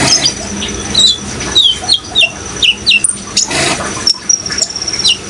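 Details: Van Hasselt's sunbird in vigorous song: a series of high downslurred whistled notes about every quarter second, then scattered sharp chirps, accompanied by splashing water.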